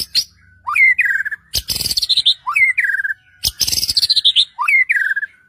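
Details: White-rumped shama singing to provoke rival shamas; rising then falling whistled phrases repeated about every two seconds, alternating with loud buzzy harsh bursts.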